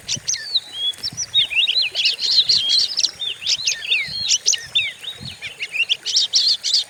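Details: Lure song of an Oriental magpie-robin, described as fierce, to stimulate other birds: rapid, nearly continuous bursts of shrill whistles, trills and chattering notes, several per second, over a faint low background.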